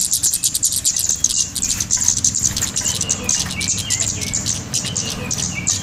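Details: Golden-headed cisticola lure call for luring birds onto bird lime. Busy, high chirping trills continue throughout, mixed with short, lower, rising whistled notes in the second half.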